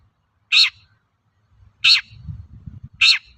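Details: Long-tailed shrike in lively voice, recorded as a lure to provoke untrained shrikes into singing: three loud, rasping, broadband notes, each short and harsh, spaced over a second apart, with a faint low rumble between them.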